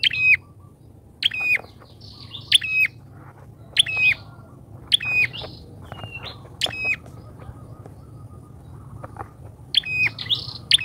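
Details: Loud, chatty bar-winged prinia lure call for trapping wild birds: crisp ringing chirps, each trailed by a thin level whistle, spaced irregularly about a second apart, with a steady low rumble beneath.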